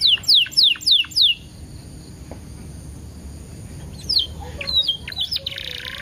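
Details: Canary lure song with ten-second pauses for coaxing canaries to sing: five loud downward-sweeping whistles in the first second, then a quiet stretch with background hiss, followed by scattered softer chirps and a brief chattering burst.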